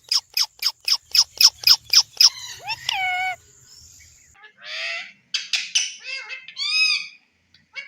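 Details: Caged Indian ringneck parrot, a talking pet: a rapid series of about nine sharp, evenly spaced shrill notes, then drawn-out squawks and harmonic, voice-like mimicry sounds.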